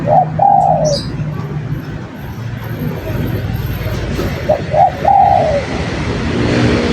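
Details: Spotted dove singing two coo phrases, one at the start and one around five seconds, each ending in a long drawn, slightly falling coo, with steady low background noise.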